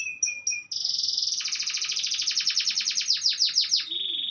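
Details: Afternoon canary song, a few short whistled notes followed by a long rolling trill of rapidly repeated rising pulses, ending in a steady high whistle; faint low background sounds.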